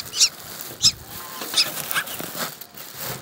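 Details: Black drongo nestlings, hungry and begging for food in a Bangladeshi village, give sharp high squeaky chirps roughly every half second, thin and piercing over a quiet background.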